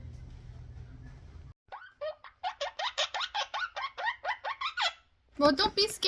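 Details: A frightened pet male monk (Quaker) parakeet, scared of a guitar, gives a rapid run of harsh, grating squawks, roughly three per second.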